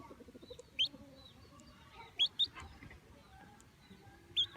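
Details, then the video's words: Baby chicks giving sparse, high, upward-rising peeps, three short chirps spaced over several seconds against a quiet, faintly noisy background. "Baby chicks chirping sound"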